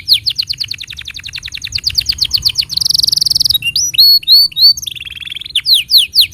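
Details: Canary tutor song aimed at young and non-singing canaries: a rapid series of downward-slurred whistles about four per second, a very fast high roll, then looping liquid notes and a low buzzy trill.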